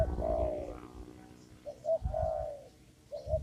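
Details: In a papaya garden during lure trapping, a spotted dove gives drawn-out low coos, then a pair of short coos leading into a longer one, over low background rumble.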